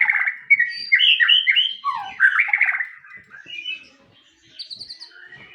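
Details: White-rumped shama song: rich, varied whistled phrases, rapid slurred notes rising and falling, dense for three seconds, then quieter, higher trills and a closing descending whistle.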